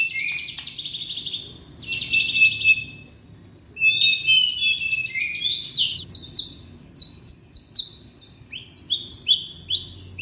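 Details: Young white-rumped shama from Indonesia in song, meant to coax reluctant shamas into singing: harsh buzzy high bursts, a short gap, then a quick run of sharp chirps and high whistled notes.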